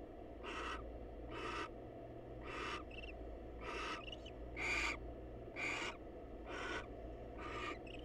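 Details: Wild female barn owl visiting a male at a monitored nest box to greet him: eight harsh, hissing screech bursts roughly one per second, some carrying a thin squeaky edge, over a steady low electrical hum.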